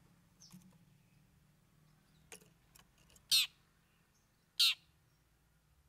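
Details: Cendet (shrike) singing its learned fill phrases: loud, harsh, broadband bursts spaced one to two seconds apart, with fainter ticks between, over a quiet background.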